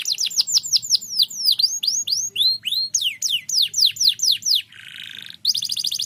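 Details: Kenari pocong canary in continuous song meant to stir idle birds into singing: rapid series of bright swooping whistles, then a brief harsh buzzy rasp, ending in a quick high trill.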